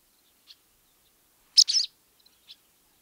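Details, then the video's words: Barn swallow chatter call: one short bright twittering burst mid-clip, flanked by a few faint, high, clipped chips, otherwise quiet. "How to attract Barn Swallow ? | Voice & Sounds | Chatter call"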